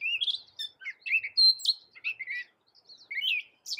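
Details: Gray catbird, a small bird of America able to mimic a cat, in a recording meant as a tutor song for other songbirds; a varied jumble of short squeaky, chattering phrases with quick slurred notes, separated by brief pauses, on a clean quiet background.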